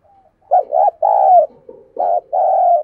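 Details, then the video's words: Caged decoy dove cooing to call in wild doves: a faint soft note, then four loud, hollow mid-pitched coos in quick succession, the longer ones gently falling at their ends, in a quiet room. "Chim Cu Mồi Thúc Gù Và GÁY Gọi Bổi Nghe Siêng Gáy"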